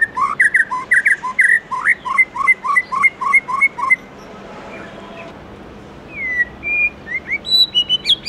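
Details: A white-rumped shama gives its morning song in a wild-forest voice: rapid, rich whistled phrases, about three notes a second, then a pause before higher, sweeter whistles and fluty slurs.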